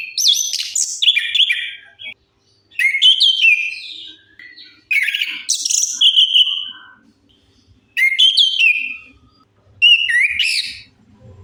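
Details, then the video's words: Lure song of an orange-headed thrush meant to prompt quiet birds into singing, with rich whistled and chattering phrases, some upslurred, given in loud bursts separated by short pauses. "Suara pancingan AMPUH 100% untuk Anis Kembang Macet Bunyi"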